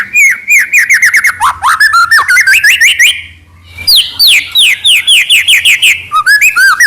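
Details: Energetic white-rumped shama song meant to trigger rival shamas into singing, packed with fast repeated whistled and chattering notes rising in pitch, a brief pause, then another dense run of sweeping whistles.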